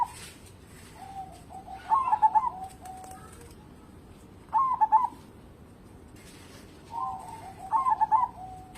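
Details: Local zebra dove used as a lure to get other birds singing: soft cooing phrases of a short rolling lead-in then a quick trilled burst of coos, repeated three times, over low background hiss.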